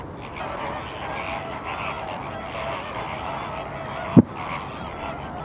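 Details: Flamingo flock on the salt lake at Larnaca, Cyprus, heard at a distance: a soft, steady murmur of honking voices, with a single sharp knock near the end.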